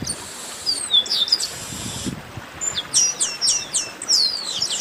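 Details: Chestnut-capped blackbirds in a 'baderna' chorus: high downslurred whistles and chirps overlap. A short lull comes before a fresh run of quick repeated notes from several birds.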